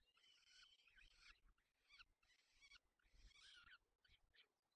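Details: Peregrine falcon feeding its young in the Barycz Valley, Poland, on 4 May 2020. Harsh, rasping, wailing calls come in bursts of about a second, with short sharp notes near the end and low thumping handling noise underneath.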